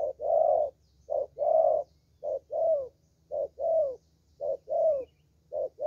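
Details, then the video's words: Spotted dove, a young bird with the Vietnamese 'thổ' song style, praised for its voice. It repeats steady paired coos, a brief note then a longer one, about once a second, with a low background drone. "Thổ Tơ Tốt Tiếng"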